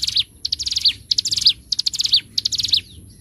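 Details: Bar-winged prinia (ciblek gunung) on a master recording made for training birds, in 'gacor ngebren' style: quick bursts of high, thin chirps, each burst closing with a downslurred note, the phrases repeated about every 0.6 seconds.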